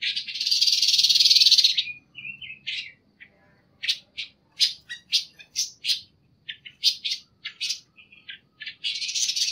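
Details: Masteran panca warna song opening with a loud drawn-out harsh buzz, followed by a run of crisp separate high chirps at an uneven pace and a closing buzzy rattle.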